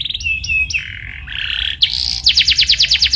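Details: Canary singing on a lure recording: clipped high notes and stepped level whistles dropping in pitch, followed by a rapid series of bright, sharply descending trill notes.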